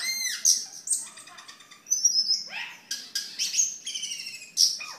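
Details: Cucak keling singing gacor for masteran and luring. Varied phrases mix piercing high whistles, buzzy rattles and steep descending slurs, each burst short and separated by brief pauses.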